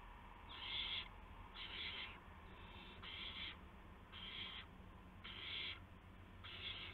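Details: Owls at a nest late at night on March 19, 2016, as adults arrive with prey for the owlets. Six evenly repeated raspy hisses, each about half a second and roughly one per second, with a faint low hum.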